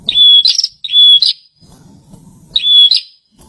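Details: Bar-winged prinia, a kept bird that needs extra care, singing energetically: three high, sharp whistled phrases, each a steady note ending in a buzzy flick, separated by pauses, with a low rumble in between.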